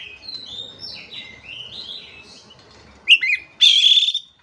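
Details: Oriental magpie-robin used as a master song for stressed, silent birds: high sliding whistles in a wandering series, then sharp rising notes and a loud buzzy, rasping phrase.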